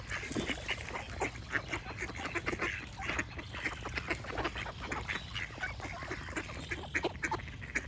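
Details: Several ducks quack continuously. Short, coarse, nasal notes tumble over one another in a dense stream above a low droning background.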